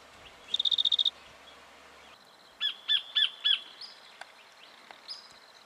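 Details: In Victoria, Australia, October 2011, a black-fronted dotterel gives one quick high ticking trill, then four separate sharp, slightly descending notes and a few thin whistled sounds.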